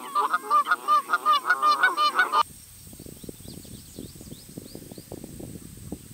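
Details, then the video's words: Canada goose calling: a fast run of about ten loud, nasal honks over two seconds, then an abrupt cut to low rumbling noise with faint high chirps. "Call of Canada Goose"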